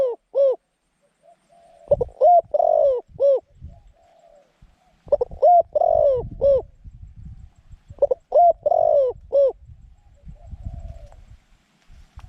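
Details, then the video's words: Decoy zebra dove luring wild doves to a trap, singing a medium-pitched cooing song: three loud phrases of quick arched coos with one longer drawn note, roughly every three seconds, over low rustling and handling noise. "จ้าว M16 จัดเชลย เสียงกลาง คูเก่งคูนานๆคับ"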